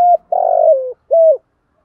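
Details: Decoy spotted dove calling to lure wild birds: a short coo, then a long burred, vibrating coo that slides downward, and a final rounded coo after a brief gap.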